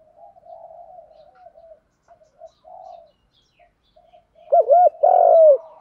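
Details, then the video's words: A spotted dove in the 'đồng pha thúc gù' song style, kept as a pet bird: quiet, broken low cooing for several seconds, then a loud close phrase of rippling double coos and a long, falling note. "tiếng chim cu gáy giọng đồng pha thúc gù"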